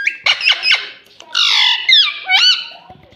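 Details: Green ringneck parakeet producing a fast cluster of shrill squeaks followed by a long buzzy screech and two sharply rising, whistled calls.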